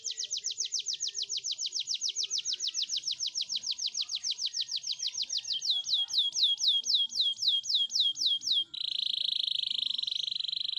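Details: Canary song for training, a long fast trill of repeated sweeping notes that slows into wider swoops, ending with a dense, steady buzzing roll.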